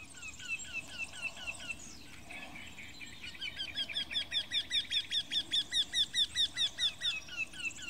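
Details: Eurasian wryneck (Jynx torquilla), call.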